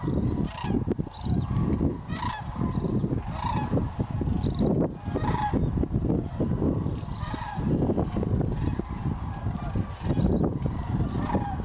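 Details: A large wintering flock of sandhill cranes at Hiwassee Wildlife Refuge near Dayton, Tennessee, calls on a sunny morning on 31 December 2023, rolling, rattling bugles overlapping almost without pause into a steady chorus over low rumbling noise.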